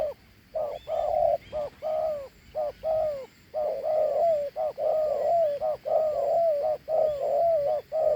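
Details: Large dove of the Thổ Hú cooing style giving its two-note coo: short mellow hooted notes, repeated rapidly and nearly continuously, with brief gaps between phrases and a faint steady high hum behind.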